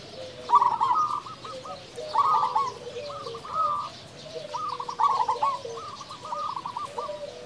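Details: Actively singing local zebra dove, played to provoke and excite quiet doves: short stuttering coo phrases given every second or so, with fainter lower coos from other birds in the background.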